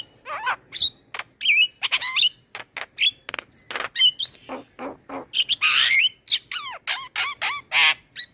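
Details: Vigorous song of a male black-winged starling, recorded as tutor material for young starlings to copy: dense stream of varied whistles, rising and falling slurs, harsh chatters and sharp clicks delivered almost without pause.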